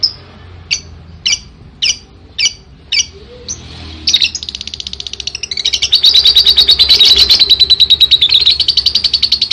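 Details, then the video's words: Lovebird giving its long ngekek song: a few separate sharp high chirps at first, then from about four seconds a dense, continuous buzzy trill of rapid high pulses that runs to the end. "Burung love bird ngekek panjang banget 3 menit"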